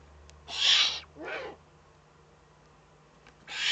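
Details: A Eurasian eagle-owl in the Eifel, Germany, recorded on 3 May 2014, gives harsh, breathy hisses: a long burst, a shorter one, then another after a two-second pause, over a faint low electrical hum.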